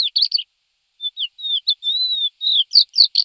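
Thekla's lark gives a run of clear, high notes: quick chirps, then a drawn-out whistle, then more rapid twittering phrases. No other sounds intrude.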